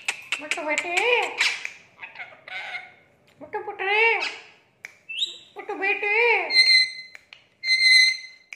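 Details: Talking parrot producing speech-like mimicry: several short, harmonic, word-like phrases with bending pitch, separated by brief pauses, ending in two clear, steady whistled notes; no other sounds stand out.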